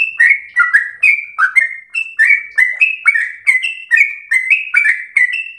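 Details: Sooty-headed bulbul, captive training song in the slow ropel style for tutoring a house-kept bird; clear whistled phrases, each a high note dropping to a lower one, repeated about every half second.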